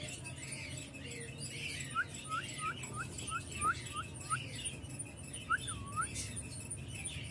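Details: Young male parblue opaline lovebirds in an aviary giving a run of about eight short, upswept chirps, a pause, then two more looping chirps, over a steady low hum and faint background twittering.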